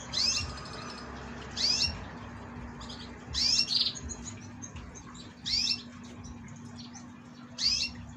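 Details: Young caged canary, the only survivor of three chicks of yellow parents, its head pecked bald: faint high upswept chirps, one roughly every two seconds, over a steady low hum.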